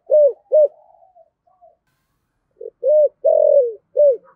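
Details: Decoy spotted dove calling in the 'giọng thổ' style: two clipped low coos and a faint trailing murmur, silence, then a short note, a rounded coo, a long drawn coo and a final clipped coo.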